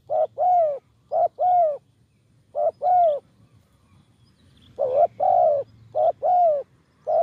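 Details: Spotted dove used as a decoy for luring wild doves, calling in the eloquent karam style: three phrases of low cooing, each a short coo followed by a longer, slightly wavering coo, with brief pauses between phrases.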